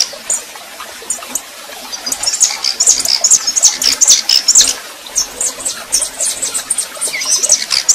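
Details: Female red-pileated finch warming up with male-style song: after a few sparse high notes, a long rapid series of shrill twittering notes, a brief lull, then more high chirping, over faint scratchy background.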